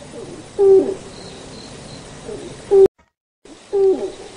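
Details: Malayan night heron, also called black-crowned tiger bittern, species found from India and Sri Lanka to South China and Southeast Asia: three deep, hollow single hoots with a short tonal ring, spaced irregularly, broken by a brief silent cut, over faint background hiss.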